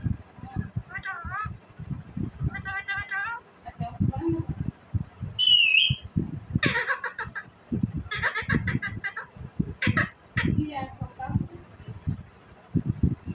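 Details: Green Indian ringneck parakeet talking happily, saying mitho mitho in Urdu-Hindi style: short chattering speech-like phrases with bent, warbling whistled syllables and a few sharp high notes, over steady low thumping in the background.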